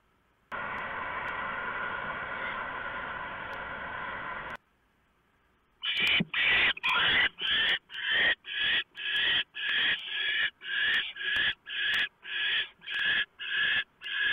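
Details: Barn owl nest at 3:59 AM on 3 November 2015, male delivering a huge mouse and the female shredding it for the owlets; steady hiss, brief silence, then harsh rasping screeches repeated about twice per second.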